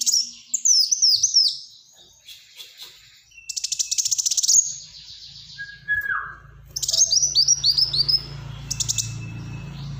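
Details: Black-throated sunbird singing energetically in close bursts, used as a tutor and prompt for other birds: repeated high, sharply downslurred chirps, buzzy rattling trills and twittering runs, a lower hum joining later.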